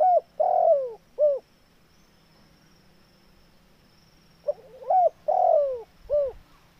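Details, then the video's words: Tekukur, the spotted dove, calling loudly: two full coo phrases, each a quick rising stutter, a long falling coo and a short clipped coo, separated by a few seconds of quiet with a faint low hum. "TEKUKUR SUARA JOSS"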